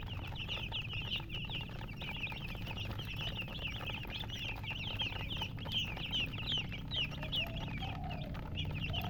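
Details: Chicks with a colored hen: many high, quick chirps tumbling over one another almost continuously, with a few lower hen clucks near the end and a constant low hum beneath.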